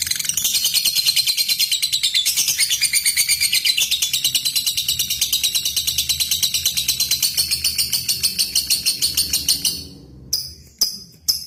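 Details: Lovebird giving a long ngekek and ngetik lure sound meant to call a rival and provoke silent birds into singing: a dense, high, rapid chattering trill of about three pulses a second, ending in a few separate sharp chirps.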